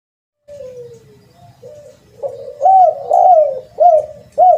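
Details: Spotted dove lure call: soft, low coos at first, building into loud, clear, arched cooing notes repeated roughly every half second against a quiet background.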